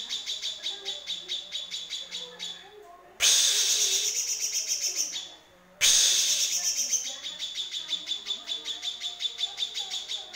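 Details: Yellow-vented bulbul (cucak kinoy) harsh tutor song for training songbirds: rapid, dry chattering notes, nearly three per second, broken twice by loud rasping bursts lasting a couple of seconds.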